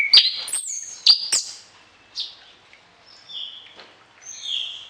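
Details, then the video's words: Orange-headed thrush giving a varied song to train other birds, morning and evening: sharp high clicks and chirps, then spaced drawn-out whistled notes at varying pitches. "ANIS KEMBANG GACOR DOOOR, VARIASI ISIAN, COCOK UNTUK MASTERAN DI PAGI HARI DAN SORE"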